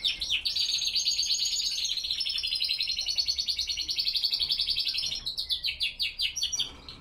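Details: Classic Spanish Timbrado canaries singing at dawn, 07:46 am, 5°C and 87% humidity; a sustained, dense, high rattling trill runs unbroken for about five seconds, then breaks into quicker throbbing pulses.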